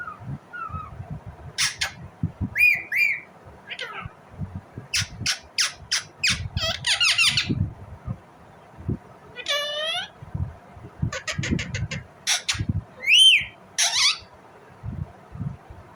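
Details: Indian ringneck parrot uttering a varied string of sharp squawks, clicks and squeaky rising notes, some in rapid ticking series, with low background noise between calls.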